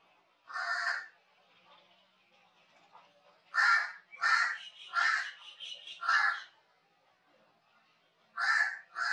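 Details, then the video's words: Crow cawing in harsh, hoarse bursts: one caw, a pause, then a quick run of four caws and two more at the end. "कौवे पक्षी की ध्वनि - crow call & voice"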